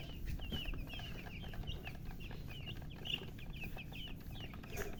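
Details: Just-born baby chickens chirping: rapid, high, thin peeps, each a quick downward slur, overlapping in a dense continuous chatter against a loud low rumble and occasional sharp clicks.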